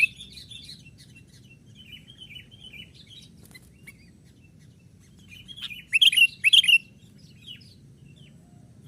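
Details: Young sooty-headed bulbul used as a lure to excite wild birds, active on twigs; sparse soft chirps, then two loud, sharp, twisting high notes near the six- and seven-second marks, over a low steady rumble.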